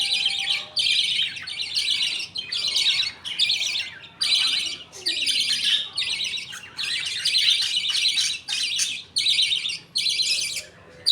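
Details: Budgerigar colony at feeding time as a father budgie feeds his two chicks millet paste while other budgies wait; a steady run of rasping, noisy chirp bursts, about one per second.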